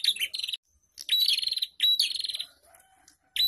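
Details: Lure recording of a prinia group for caged birds: short buzzy trill bursts with gaps, a softer low steady tone near the end, and a final sharp trill.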